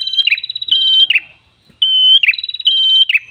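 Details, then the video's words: Tailorbird song used as a lure, red-headed prenjak: two long, steady, piercing whistled phrases, each closing with a quick slurred drop and preceded by a rapid ticking run, separated by a brief silence. "MASTERAN PRENJAK KEPALA MERAH GACOR SUARA NGALUN ENAK COCOK UNTUK PIKAT/PANCINGAN BURUNG ANDA"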